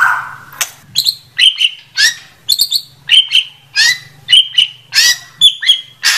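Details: White-rumped shama song: short bursts of bright whistled and buzzy notes, many sliding up or down, in quick phrases separated by brief pauses, over a faint low hum.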